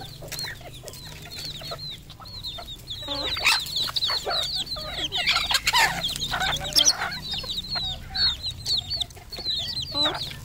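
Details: Red junglefowl on a farm in Cambodia: a long stream of high, thin, arching peeps from many birds, building into a louder, busier burst of clucks and squawks midway before thinning again.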